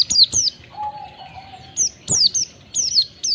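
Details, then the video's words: White-eye, a lure for caged birds to sing ngalas. Piercing high chirps bend downward in twos and threes, and a long steady lower whistle runs beneath them for about a second. "Pancingan pleci agar cepat ngalas buka paruh, masteran pleci cepat ngalas"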